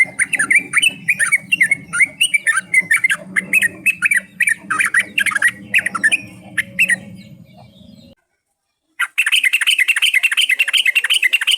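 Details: Lure sound of yellow-vented bulbul: nonstop bubbling chatter of quick liquid notes for eight seconds, a brief silence, then another dense burst of rapid warbling, with a low droning hum beneath the first part.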